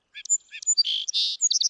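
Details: Song sparrow (Melospiza melodia) song, heard mornings in a backyard where they breed: a quick, high phrase of clipped opening notes, two buzzy bursts, then a rapid jumble of bright chips; males setting up territory, warning rivals away.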